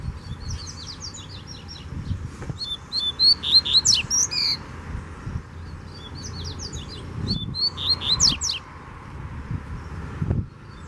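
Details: A loose wild Double-collared Seedeater challenges a caged male, singing two lively phrases of high chirps, trilled whistles and steep downward slurs, each about two seconds long. Between the phrases there is a background hum with occasional knocks.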